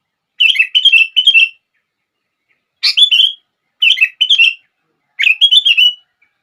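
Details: Sooty-headed bulbul singing, a recording meant to spur other bulbuls into song: four bright phrases of rapid chattering notes, some opening with a sharp rising upstroke, separated by short gaps.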